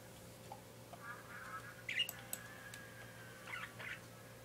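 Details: Pet parakeet calling: a few short, harsh chirps near the middle, then a cluster of scratchy notes near the end, over a quiet steady electrical hum.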